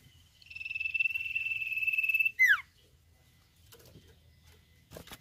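Common Iora giving one long, steady high whistle of about two seconds with a faint quaver, ending in a sharp downward swoop; a few soft knocks follow.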